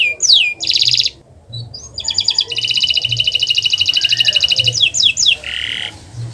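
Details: Singing canary on a master track for prompting quiet canaries: sweeping whistles and a buzzy burst, a long rapid trill, then quick slurred notes and a lower harsh buzz.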